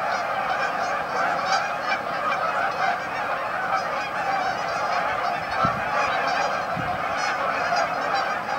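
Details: Massed honking of Canada geese gathered at a staging area on Amber Trails Lake, Winnipeg, a thick unbroken chorus of nasal calls with a couple of faint low thumps near the end.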